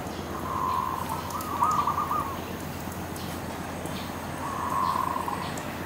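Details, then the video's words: Dove perched on a tree giving long, soft drawn-out coos, two joined notes then a single one after a gap, with a constant low background rumble. "Dove Sound On The Tree"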